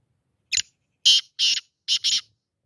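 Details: Black francolin calling: a harsh, grating phrase of five loud rasping notes, a short first note then two pairs, delivered over about two seconds in a quiet setting.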